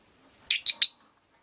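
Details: Caged rosy-faced lovebirds, five birds kept beside a window: three quick, loud, harsh chirps in rapid succession, each shrill and buzzy, over near-silence.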